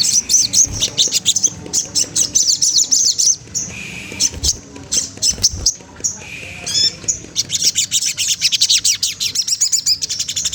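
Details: Sogon trotol magpie-robin provoking a rival: long stretches of rapid, high chattering chirps, broken by short buzzy whistles and a pause, then resuming in quick dense trills.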